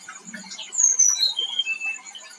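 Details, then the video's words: Flowerpecker (tledekan) singing loudly on a lure recording for kept birds: a clear descending run of sharp, high whistled notes, each a little lower than the last, lasting about a second, with faint chatter before it. "PANCINGan MANJUR BURUNG TLEDEAN SETRES DAN TURUN BIRAHI"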